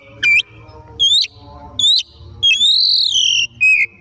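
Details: Oriental magpie-robin singing loudly in the afternoon, used as a lure to prompt other birds to sing: five short, loud whistled notes, some sharply rising or falling, one long arching whistle, spaced about a second apart.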